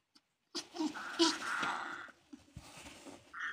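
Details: African grey parrot chicks giving harsh, raspy, broadband calls in a burst lasting about one and a half seconds, with a brief higher tonal squeak near the end. The setting is quiet and indoors.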